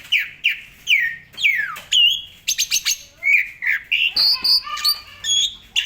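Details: Asian pied starling in full vigorous song used to train other songbirds: loud descending whistled slurs, several sharp clicks, then a string of bright ringing whistles at varying pitches.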